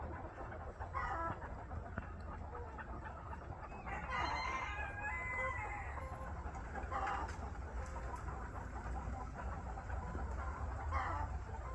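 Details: A white rooster crows amid heavy low rumbling background noise; harmonic, drawn-out crowing phrases rise out of the din around four and seven seconds, with a shorter fainter one near the end.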